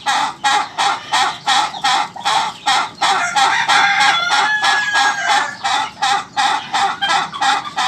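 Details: Laughing chicken (ayam ketawa) giving a long crow of rapid rhythmic laugh-like pulses, nearly three per second, sustained for the whole stretch, loud and harsh.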